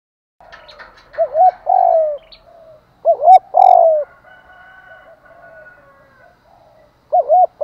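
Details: Spotted dove calling in the morning to lure and provoke others: repeated phrases of looping short coos and a long descending coo, overlapping fainter coos, a steady higher tone and light chirps.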